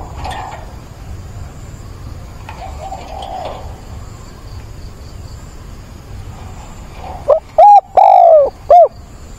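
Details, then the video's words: Decoy spotted dove calling for a mate on 17 September; after faint distant cooing, a loud hollow coo phrase of short notes and one longer sliding note closes the recording. "Cu mồi gáy gọi tìm bạn"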